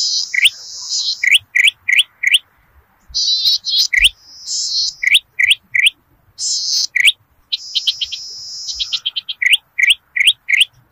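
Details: Lure song of a zitting cisticola for rice fields in Indonesia. Rapid series of sharp rising chirps, roughly three per second, broken by several harsh buzzing trills of about a second each.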